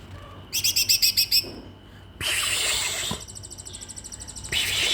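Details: Caged magpie-robin left alone with only feed while its keepers were away for the holiday homecoming, singing wildly: a fast run of bright, high, evenly pulsed notes, then loud rushing hiss-like bursts and further rapid chattering.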